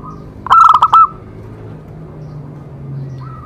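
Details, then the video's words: Zebra dove song played to stimulate other doves: one quick phrase of four or five staccato coo notes closing on a sustained tone, followed by quiet hum and a faint coo at the end. "Cocok untuk terapi semua jenis perkutut pasti nyamber"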